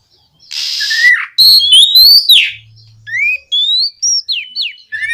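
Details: Oriental magpie-robin, a strong-singing bird used to prompt other magpie-robins to answer and sing, delivering varied clear whistled phrases between 2 and 5k, rising slurs and quick downslurred notes, opening with a harsh buzzy burst.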